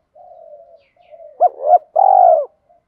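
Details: Spotted dove, thổ voice style, cooing to spur new and decoy birds; faint low murmur first, then two arched notes and a loud drawn-out falling coo with a rough purring texture.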